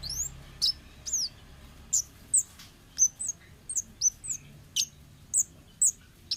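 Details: A wild forest orange-headed thrush, recorded to lure untrained birds. It gives very high, thin chirps with hooked tails at an uneven pace, about one per second, against soft low rumble.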